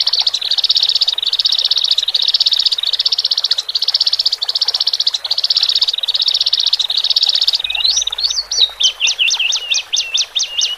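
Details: Singing by caged male and female Horsfield's bush larks, used to help new birds adapt to the cage: a fast high trill pulsing about once a second for seven seconds, then a series of sharp rising-and-falling whistled notes.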